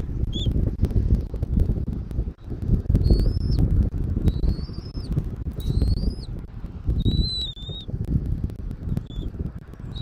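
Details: Bald eagle at the nest, Southwest Florida, 13 January 2024, 14:17: scattered high whistled notes, some arched and drawn out, others short pips, irregularly spaced through dense low wind noise.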